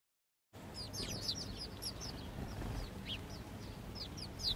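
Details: Tame, fearless house sparrows in the city of Gdynia, Poland, on 19 October 2022. Many short, high, downward-slurred chirps follow one another in quick, irregular succession over faint low background hum.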